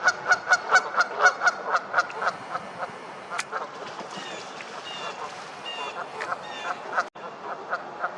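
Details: Canada geese honking loudly while getting into a fight: a fast run of loud, nasal honks, roughly two per second for the first few seconds, then softer, ragged honking and scattered calls from several birds.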